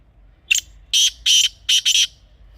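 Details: Teetar, the grey francolin, gives a loud grating phrase: a short sharp opening note, then four strident, buzzy syllables, the final pair run close together; recording meant for hunting calls.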